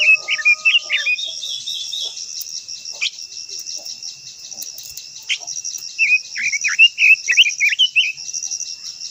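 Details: Japanese white-eye sings high, lively warbling phrases, first briefly, then in a longer run of quick rising and falling whistles near the end. A steady tone and constant high insect drone sound behind.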